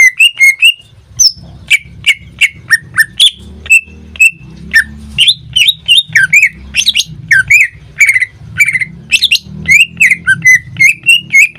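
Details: Greater green leafbird, a pet singing in full voice almost every day, gives a lively sequence of whistles and chips over a faint low background rumble.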